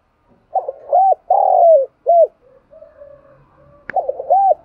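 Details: Morning flock call of a decoy spotted dove used to attract wild doves: a run of soft, rounded, low coos with one long drawn-out falling note, a murmuring pause, a sharp click, then more quick coos.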